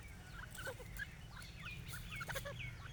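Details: A pair of grey francolins in grass give soft, clucking chips and short rising whistles in a loose, irregular patter over a steady low rumble.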